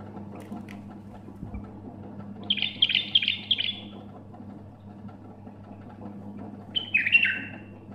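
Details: A bulbul gives two brief song bursts: first a quick run of chirpy warbled notes, then, after a pause, a short whistle dropping in pitch. A low electrical hum runs underneath throughout.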